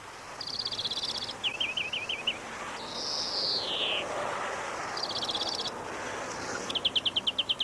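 European Greenfinch singing: fast, bright twittering trills broken by one long, nasal, downward-sliding wheeze, then more rattling trills over a soft hiss.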